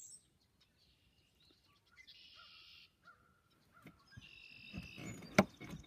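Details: Red-winged blackbird: soft, short lead-in notes, then two harsh, buzzy trills of under a second each, a few seconds apart, followed by a sharp, loud clatter near the end against a quiet background.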